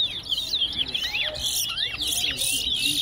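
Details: Several Large-billed Seed-finches (towa towa) at a bird whistling competition at Tuschen bird ground, Guyana, sing fast, bright whistled phrases with rising and falling slurs, overlapping, while a person counts aloud in the background.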